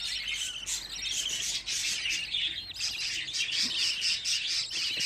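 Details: Budgerigar chicks, fifteen young birds still frightened after being gathered, keep up a loud, continuous chorus of thin chirps and rapid scratchy trills, roughly two notes per second standing out above the din.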